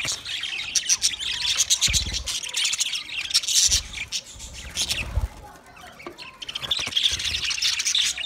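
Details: Flock of budgerigars, twenty pairs, producing a steady stream of high twittering chirps and squeaky warbles, broken by a few dull knocks.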